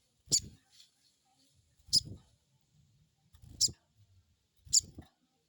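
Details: Crested jay lure call, crecet: four sharp, high squeaks roughly every second and a half, each paired with a low thud, otherwise quiet.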